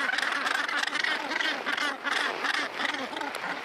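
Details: Dense chorus of Northern gannets at their Helgoland breeding colony, rasping grating calls overlapping continuously with no pauses.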